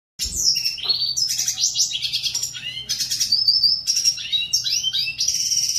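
A red siskin sings a fast, continuous warble of high twittering notes, buzzy trills and slurred whistles, with a faint low hum behind.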